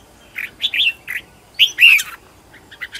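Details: Decoy Red-whiskered bulbul trained at home, singing to draw wild birds; a few short chirps followed by a loud bubbling warbled phrase with a clear downslurred whistle, then soft scattered notes.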